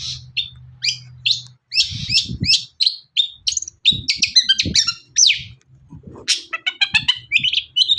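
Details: Long-tailed shrike in lively song, played to provoke other shrikes into singing: a fast, varied stream of sharp chirps, squeaks and scratchy notes. It ends in a quick descending series of bright ticks, with a low hum and thuds in the background.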